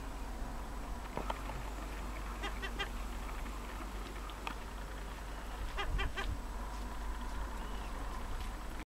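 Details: Gulls calling among themselves at Sarnes, Finnmark, Norway: scattered short, harsh cries with stacked overtones, several bunched together around the middle, over a constant low rumble of wind or distant noise.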